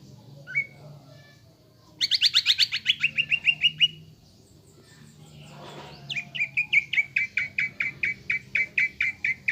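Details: Greater green leafbird in a cage giving a lure song to trigger emotion and fighting mood: a lone upslurred whistle, a two-second fast buzzy rattle, then a long even series of sharp rising chips.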